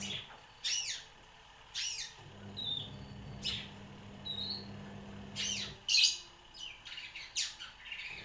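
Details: Long-tailed shrike around one year old singing mimicked bar-winged prinia and sparrow phrases: scattered sharp descending chirps and brief whistled notes with pauses between, over a low steady hum.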